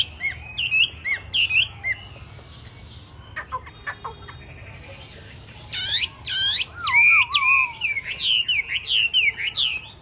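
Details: Yellow-legged, yellow-billed, yellow-plumaged hwamei ('tam hoàng') sings varied whistled phrases: short high notes, then rich sweeping and looping whistles, with a lower wavering descending whistle near the end. Faint background hum throughout.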